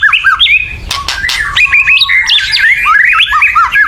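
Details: Excited white-rumped shama giving a loud chattering call to provoke singing, a rapid run of jumping whistled and squeaky notes with two short harsh rasps near the start.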